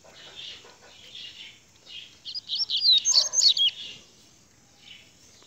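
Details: Rusty-collared seedeater, 'grego' song style: a burst of quick, high, twittering and whistled notes, roughly three per second, rising out of softer, hazy chirping that comes before and after.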